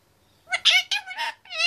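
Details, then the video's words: Indian ringneck parakeet, 25 months old, male, chattering in his cage; a run of short speech-like harmonic syllables, rising and falling, packed into about a second after a brief quiet start. "Indy 25mths old is quite a chatterbox in his cage"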